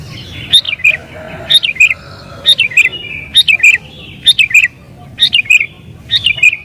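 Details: Sooty-headed bulbul in agitated, emotional song meant to lure wild bulbuls; short bright three-part phrases, a high note dropping into warbled lower notes, repeated about every second.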